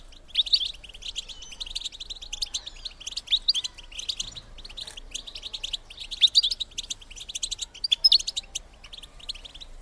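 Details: ['European goldfinch female call, played to stimulate males to mate: a dense, continuous twittering of high, rapid chirps and trills, in clustered bursts throughout with brief pauses.']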